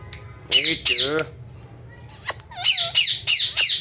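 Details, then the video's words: Ringneck parrot reportedly talking "mithu mithu": two rich, voice-like tones with stacked bands open the clip, then after a short gap comes a series of sharp, rasping squawks with small curling notes between them. "Best ringneck parrot talking||mithu beta talking mithu mithu"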